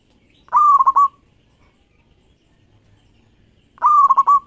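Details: Local perkutut, or zebra dove, singing actively for use as a lure: two mid-pitched rolling coos about three seconds apart, each ending in rapid stuttered beats, with a quiet background.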